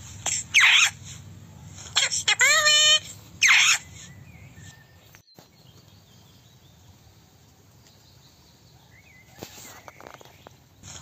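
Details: Indian ringneck parakeet giving its natural calling sounds, including the kiss kiss sound; rasping smacking bursts around a short ringing, nasal squeal, then a long quiet stretch with faint distant chirps.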